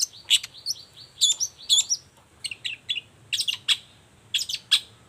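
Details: Long-tailed shrike lively morning song meant to provoke silent shrikes into answering: clustered bursts of sharp metallic chips and short rasping notes separated by brief pauses.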